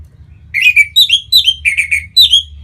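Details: Kept orange-headed thrush from Bali sings to encourage other birds to sing: six lively whistled phrases in quick sequence, alternating between lower and higher slurred notes, rich and ringing.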